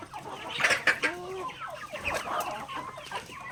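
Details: Backyard chickens at feeding time pecking grains; loud nasal clucks and drawn-out rising calls close by, over a chorus of quieter clucking hens and pecking clicks.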